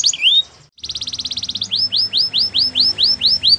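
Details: Spanish Timbrado canary singing: a brief slurred whistle, then a fast metallic trill, then a series of repeated rising-falling swooped notes about four per second, clear and high.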